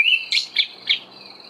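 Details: An Olive thrush (Turdus olivaceus) sings in the dawn chorus in early autumn: a clear whistled note, then three quick bright chirps about a quarter-second apart, over a thin steady high tone from the surrounding chorus.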